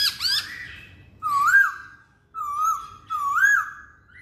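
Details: Masked laughingthrush song: a few brief looping notes, then slow, wavering whistles, each held almost a second and repeated with short pauses.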